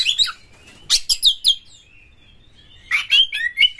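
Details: Oriental magpie-robin lure song meant to make other magpie-robins sing: a shrill burst and thin drawn-out whistle, sharp rasping notes, a quiet pause, then wavering whistled phrases.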